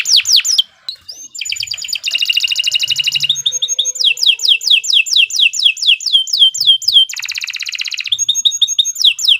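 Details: Canary singing a varied, continuous song for tutoring beginner birds: alternating fast rolling trills, harsh buzzy bursts and runs of sharply descending whistles, all high-pitched and loud.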